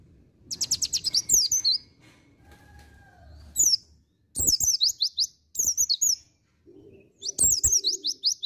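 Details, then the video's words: A white-eye sings in "ngriwik" style: high, thin, fast-chattering bursts about a second long, repeated after short pauses, with a few faint lower whistles between. "NGRIWIK PROSPEKAN BAGUS PLECI DAKUN"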